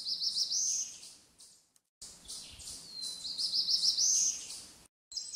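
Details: Black-throated blue warbler at Holt Pond Preserve singing two lazy, buzzy phrases, each a few husky notes climbing to a higher buzz at the end, with faint background hiss.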